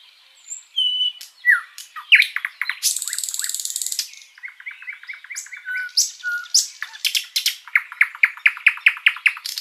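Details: Sikatan londo flycatcher in lively, unbroken song recorded as tutor material for pet birds. Brief whistles and sweeping chirps lead to a harsh buzzy burst, then a rapid stuttering trill and a run of evenly spaced sharp notes.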